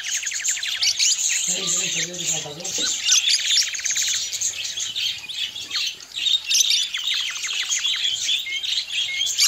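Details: Colorful budgies near their nests keep up dense, high twittering chirps with a few squawky notes, while a low voice-like sound briefly cuts in around the second and third seconds.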